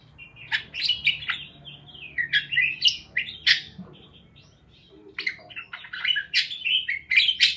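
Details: Parakeets give rapid, irregular chirps and sharp clicky notes, pause briefly near the middle, and then pick up again with lively twittering.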